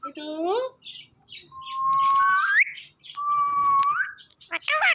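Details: Indian ringneck parrot, a green talking pet, giving a rising squawk, then two long flat whistles that sweep upward at the end, closing with short harsh notes.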